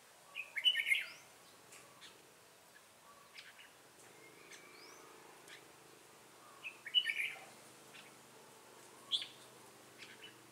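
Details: Red-whiskered bulbul decoy of the 'ché cười' song style, used in bulbul trapping in Bình Phước, Vietnam, on 25 June 2018; two rich warbled phrases a few seconds apart, then a single bright note, with faint chirps between.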